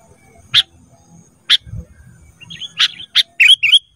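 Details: Sooty-headed bulbul training song for cage birds: isolated sharp chips about a second apart, then a quicker burst of chips and bright whistled notes near the end, with a soft low thump in the background.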